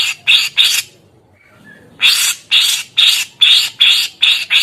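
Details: Grey-cheeked bulbul: three harsh buzzy notes, a short pause with a faint tone, then a steady run of rasping, scratchy notes about two per second.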